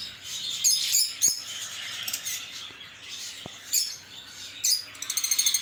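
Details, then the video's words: Lovebird chirps come in scattered sharp, high bursts with quiet gaps between them, plus a few soft clicks, ending in a quick run of evenly spaced rapid ticking notes. "LoveBird Singing & Chirping Sounds"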